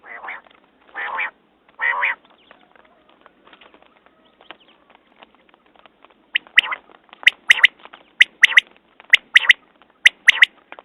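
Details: A few buzzy nasal bursts, then after a pause a quail starts sharp whip-like three-note phrases, repeated about once a second in a steady series.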